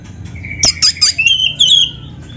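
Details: Oriental magpie-robin, black-breasted form, singing canary-style fills: a sharp click followed by a few high, bright whistled notes sliding downward, over soft background hum.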